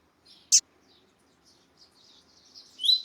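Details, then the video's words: A female double-collared seedeater (Sporophila caerulescens) calls with faint, high, thin chirps ending in one louder rising note, a sharp click near the start; played to stimulate male seedeaters to sing. "COLEIRO TUÍ-TUÍ COM FÊMEA CHAMANDO PARA ESQUENTAR SEU COLEIRO TUI TUI"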